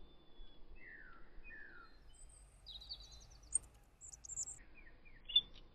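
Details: Male robin courting a female, puffing out his chest to impress her; varied thin whistled phrases, some falling slurs, others high trilled and warbled notes, delivered in short separated bursts over quiet background.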